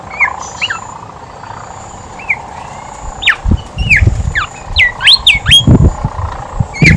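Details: Horsfield's babbler in lively song, used as a lure to start other babblers singing; short slurred whistled notes, some rising and some falling, scattered over seven seconds with a few clicks, over a steady low rumble.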